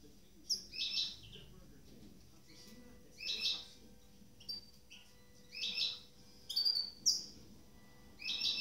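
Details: Goldfinch hybrid mule kept in captivity, freshly moulted, one of a pair: high twittering chirp bursts roughly every one to two seconds with short gaps, a faint steady hum underneath.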